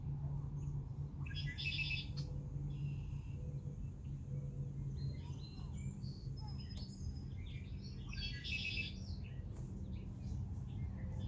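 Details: Red-winged blackbird at Rehoboth Beach, Delaware: two buzzy, dense trills about seven seconds apart, with scattered short chirps from other birds between them over a steady low rumble.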